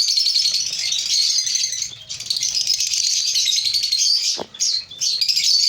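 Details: Nearly continuous shrill twittering from many African lovebirds in a breeding colony, a steady high chatter briefly dipping once toward the end.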